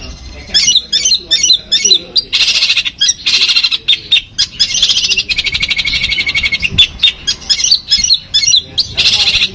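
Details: Madura long-tailed shrike from Pamekasan, a kept songbird performing full Armagedon material: sharp chattering bursts that run into long, harsh, buzzing rattles, with shorter stuttering phrases at the end.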